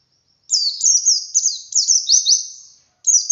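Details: Ngalas song of a wild white-eye, played to stimulate caged birds to sing: a continuous run of sharp, high, down-slurred twitters lasting over two seconds, then a fresh burst begins.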